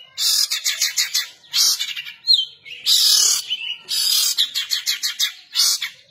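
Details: Long-tailed shrike delivering rough, chattering kasaran phrases: rapid stuttering rasps in several loud bursts, broken by one clear downward whistle near the middle.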